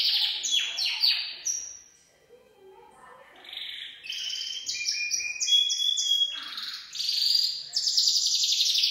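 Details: Full song from a Gloster canary: descending chirp series, a short quiet gap, then varied buzzy trills and clear whistled notes at shifting pitches, closing on a loud rolling trill.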